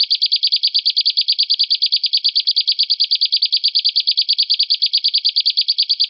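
A canary sings one long, even trill of bright, high notes, about eight pulses a second, held for the whole six seconds. No other sounds are heard.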